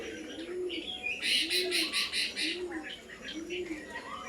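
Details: Pigeons on the roof of an old house: soft, low rounded coos repeated roughly once a second, overlaid by busy high chirping from other small birds.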